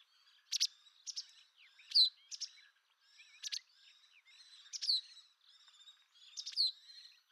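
White wagtail giving sharp, high chirping calls in short bursts, several notes every second or so, with quieter twittering between.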